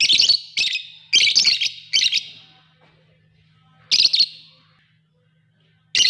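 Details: Lovebirds calling in loud, harsh high-pitched chirps, several quick bursts in the first two seconds, then a pause and two more bursts, over a faint steady low hum.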